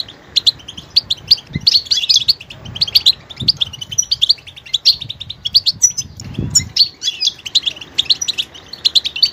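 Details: A goldfinch sings continuous lively twittering with scattered sharp chirps and brief trills, with a few low bumps underneath.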